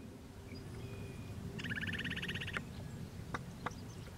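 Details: Upland Sandpiper NW of Regina, Saskatchewan, Canada, on 26 June 2016 at about 7 p.m., by a highway, with a second bird a few km east: a rapid, bubbling, stuttered trill lasting about a second over steady low wind and distant traffic rumble.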